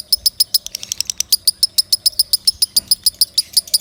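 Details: Loud training song of a lovebird, made of ringing, metallic high chirps repeated about five times a second with little else heard.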